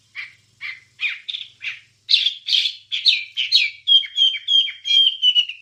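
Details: Wambie bird song, a master for training songbirds: first spaced, short, chirpy notes, then a faster string of loud, bright notes ending in clear, high, flat whistles given about twice a second.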